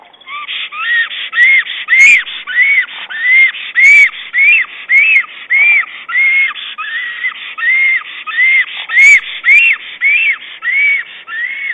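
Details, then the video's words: Black stork arranging twigs and moss in its nest and calling its mate, nest camera recording from 22 April 2009. A long, even series of about twenty arched, whistled notes, repeated almost twice per second, with occasional faint clicks. "Black Stork Cam 22.04.09 Padis calling"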